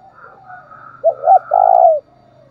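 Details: Spotted dove cooing in the thúc bổi style, used as a lure to stir another dove: a soft low murmur, then a short doubled coo and a longer, steady, loud coo that ends abruptly.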